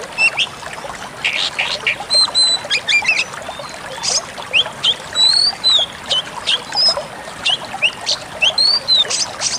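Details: Pied bushchat singing, recorded for training cage birds: busy runs of bright whistled notes, rising and falling slurs and chirps, mixed with broadband splashing noise.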